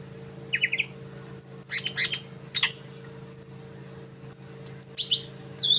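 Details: A greater green leafbird practising another bird's sound, the sikatan londo, with a brisk run of thin high whistles, buzzy chips and quick downslurred notes in bursts about every second, a constant low hum underneath.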